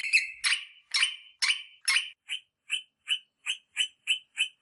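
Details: Rosella sound played to encourage mating: five strong, rough notes, then a regular series of short, fainter chirps about three per second.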